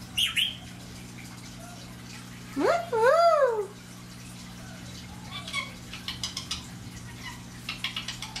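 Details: Pet Indian ringneck parakeet, an 11-month-old female kept indoors, mimicking speech: a loud warbling phrase of rising and falling swoops, with short clicks and chatter before and after, in a small room with a steady low hum.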